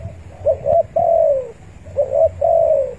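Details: Spotted dove calling rivals, used as a lure for trapping; two cooing phrases, each a short rising coo then a longer descending drawn-out coo, low-pitched and clear against faint background hum.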